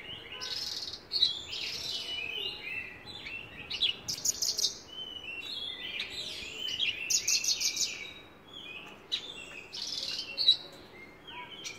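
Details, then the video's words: Long, rambling gacor song from a Javan bush lark: dense jumbles of high whistles, buzzy notes and sharp clicks in repeated bursts, separated by brief quieter pauses. "Branjangan gacor"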